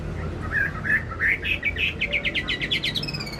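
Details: Wambi singing, played as a lure to get other birds singing: a few rising whistled notes building into a quick, accelerating series of short bright whistles, ending on a higher thin note.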